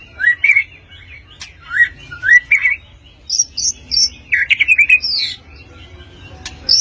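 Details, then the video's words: White-rumped shama of the blorok type singing sharp 'nembak tajam' song: rising slurred whistles, a series of very high pure notes, then a rapid run of repeated stuttered notes. "Murai Batu Blorok Nembak Tajam"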